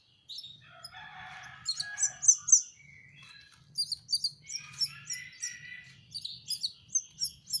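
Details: Canary chicks being hand-fed, giving thin, high chirps that come in quick bursts, with rougher scratchy sounds in the middle range and a low steady hum underneath.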